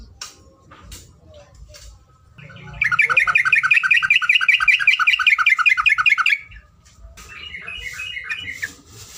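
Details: Yellow-vented bulbul tutor recording of the long rapid song style called ropelan panjang: a fast, even trill of repeated bubbling notes lasting about three and a half seconds, with softer chatter before and after.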